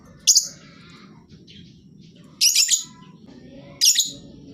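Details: Lovebird song used as a lure to make quiet birds join in: three loud, grating, shrill bursts spread over about four seconds, each a short chattering cluster, with softer notes between.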